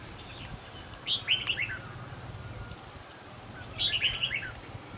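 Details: A Red-whiskered Bulbul sings during a decoy-bird trapping test of birds from Mù Cang Chải, Yên Bái, Vietnam, as a fighting bird comes to the decoy. Two short, bright, warbled phrases come about three seconds apart, over quiet background noise.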